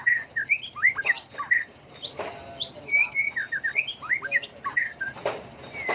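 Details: A white-rumped shama sings with many voices, switching tunes continuously, to provoke birds into competitive singing. Short looping whistled notes and curled chirps follow in quick, irregular succession, with a few clicks between phrases.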